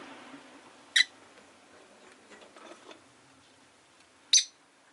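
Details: Rosy-faced lovebird giving two brief, sharp, high chirps more than three seconds apart over a steady low hum of background noise, with faint scratchy sounds between them.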